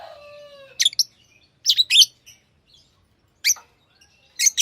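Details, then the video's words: Tamed lovebirds: a fading lower whistled note opens, followed by sharp high chirps in pairs and small clusters with brief pauses in between. "Love birds Sounds | lovebirds chirping sounds"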